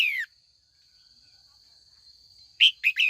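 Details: Caged female red-whiskered bulbul calling in the afternoon to stir older wild-caught males into competitive song: a slurred descending note, a long pause, then three quick bright chirps, over a steady high whine.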